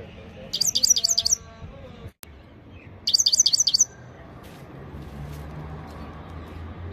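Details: Two brief runs of five or six quick, ringing high notes from a Himalayan goldfinch, set against constant low hiss and hum.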